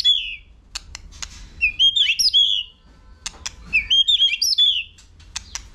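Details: Competition singing by a white-rumped shama: high, sweet warbled phrases in two bursts, each with bright slurred whistles, separated by crisp clicks and brief pauses.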